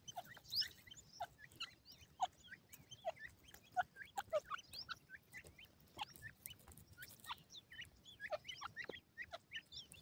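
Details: Partridge chicks fighting over food: many short whistled peeps, some rising and some falling, scattered and overlapping through the clip, with soft pecking clicks and low background rumble.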